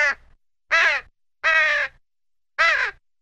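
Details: Crow cawing: four harsh, rasping caws, each about half a second long, spaced unevenly over three seconds against silence.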